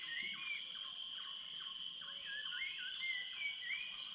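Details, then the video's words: Jungle birds singing at dawn from the dock at Tanjung Harapan, Tanjung Puting National Park, Indonesia: clear whistled notes sliding up and down, some short and slurred, some longer and wavering, over a steady high-pitched insect drone. "Jungle Birdsong RAW - Tanjung Harapan Dock at Dawn"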